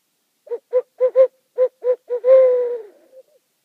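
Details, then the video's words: Owl calling at night from a meadow on Rattenbury Rd, one of two owls present: seven short, low hoots in quick succession, then one longer hoot that slides gently down and fades, in a quiet night. "Owl Calling on Rattenbury Rd"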